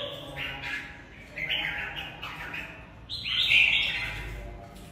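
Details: Red-whiskered bulbul in a fighting match, singing several short slurred whistled phrases over a noticeable background hiss and rumble, ending with a louder, sharper rising phrase.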